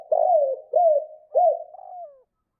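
A spotted dove gives three soft, husky coos, each rising then falling, about every half second, ending in a long note that slides downward.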